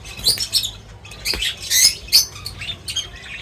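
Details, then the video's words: Birds at a feeding spot give rapid, overlapping high chirps and squeaky twitters in quick irregular bursts, with soft rustling underneath. "Crazy Birds Feeding Reaction : Birds Chirping Sounds"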